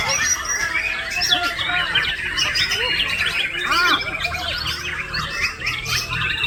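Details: Singing male white-rumped shama delivering lorikeet-copied phrases: rapid overlapping high twitters, sharp chirps and short whistled notes in a busy, unbroken run, with some lower arched notes mid-clip and faint murmur behind.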